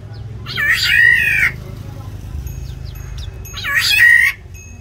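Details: Black-naped oriole in an aviary, fighting to defend or seize territory; two loud nasal, grating mewing calls about three seconds apart, each nearly a second long, with faint ticks between and a low hum.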